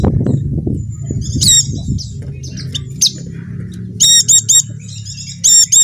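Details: Dakun white-eye from Java, offered as a lure recording to prompt caged white-eyes that have stopped singing. Scattered thin high notes at first, then rapid clipped chirp bursts near the end, over a low rumbling flutter.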